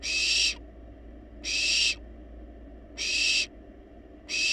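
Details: Begging by wild barn owl chicks at their nest box, playfully demanding food: broad noisy hissing screeches, each around half a second, spaced over a second apart.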